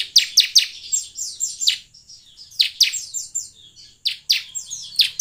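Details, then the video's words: Bar-winged prinia singing in quick bursts of sharp, high, down-slurred chips, three or four to a burst, with brief pauses between; a lure recording used to prompt caged prinias to sing. "pancingan ciblek semi agar bunyi"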